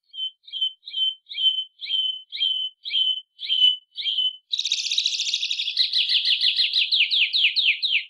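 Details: A White-bellied Seedeater, one of five song variants of this bird, sings about ten clear, down-slurred whistles, roughly two per second, then breaks into a fast, buzzy trill of rapid high notes.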